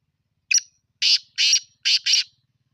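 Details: Black francolin calling: a short scratchy note followed by four harsh, rasping bursts in quick succession, the last two closely paired, in otherwise quiet surroundings.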